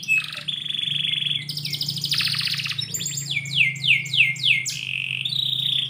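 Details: Morning song of a canary inside a house: a short upward note, a long even whistle, dense buzzy rolls, then repeated fast downward-slurred notes; a low steady hum persists.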